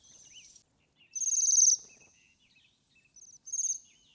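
Bohemian waxwing giving high, thin, buzzy trills, a long ringing one then two shorter bursts, with soft background noise.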